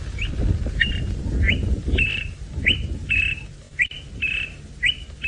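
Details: A Greater Honeyguide at Djuma, Sabi Sand, South Africa, on a late-afternoon drive on 12 Oct 2017, repeats a clear two-note "vic-tor" phrase, an upslurred whistle then a level one, roughly twice a second, over a low rumble.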